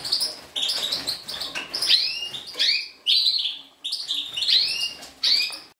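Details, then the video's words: A 2012 recording of a European goldfinch of subspecies major: bursts of quick twittering with prominent upward-sweeping whistles, each phrase rising and breaking off before the next begins roughly every second. "Carduelis Major 2012"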